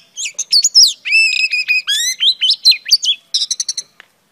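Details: Female Oriental Magpie Robin singing buzzy harmonic whistles and stepped rising notes, followed by a rapid series of short pulsed chirps, then a last faint note.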